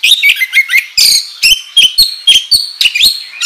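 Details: An oriental magpie-robin sings hard as a lure for other kacer. Loud buzzy bursts alternate with clear rising and falling whistles, a phrase roughly every half second.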